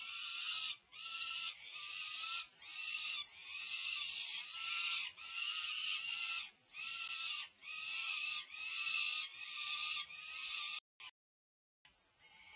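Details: Peregrine falcon chicks over five weeks old begging through a feeding frenzy at UC Berkeley, California, May 2023; rhythmic harsh screams, roughly one per second, then a click and near silence at the end.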